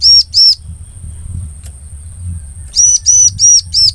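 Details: Bar-winged prinia call used as a lure for the same species: two loud arched notes, a pause filled with low rumbling, then four quick ringing notes in a row.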